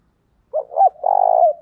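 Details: 'Thổ thúc' and 'gáy gọi' calling of a spotted dove with a 'giọng thổ' voice, played to train newly caught birds: two hooked short notes followed by a prolonged, level, faintly pulsing low coo.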